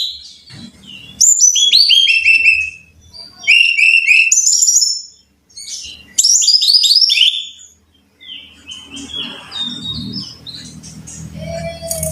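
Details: Brown-chested jungle flycatcher song played to train caged birds: repeated bursts of sharp, descending chirped notes in quick ladders, each phrase a couple of seconds long with brief silences, ending in softer scattered notes over low rumbling noise.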